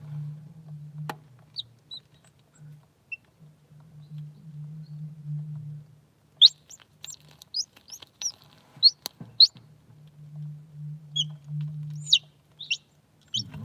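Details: A hatching Polish (Paduan) chicken chick in an incubator peeps from inside its egg in short, high, rising notes, with its cracking of the shell also audible.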